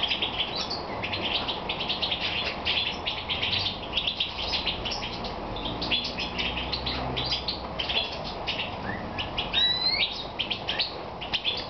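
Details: European goldfinch singing in the evening while moulting, Romania, 22 May 2014: a fast, continuous twittering of high chirps and buzzy notes, with a couple of rising whistled slurs near the end over a steady background hiss.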